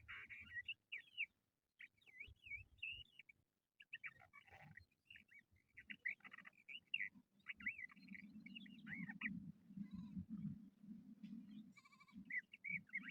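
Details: Crested lark, known locally as jal bird, calling in a trapping context; repeated short whistled and slurred notes in quick phrases, with a low hum rising in the second half and faint other chirps.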